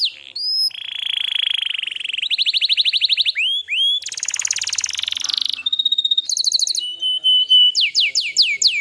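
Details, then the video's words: Varied canary song meant to train young birds and coax quiet ones into song. A steady buzzy roll is followed by fast trills, upswept whistles, a harsh rattling stretch, thin high notes and a closing run of quick rising chirps. "suara burung Kenari Gacor Masteran Burung Kenari Paud & Pancingan Kenari Macet Bunyi"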